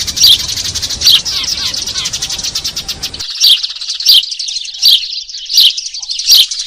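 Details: Eurasian tree sparrow lure recording for trapping. Loud downward chirps about every 0.7 seconds sit over dense chatter, and the background hush changes partway through while the chirps continue.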